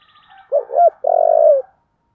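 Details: One "giọng thổ" phrase from a spotted dove: a short hooked double note followed by a sustained, slightly pulsing deep coo that falls away at the end, after a faint high buzzy trill.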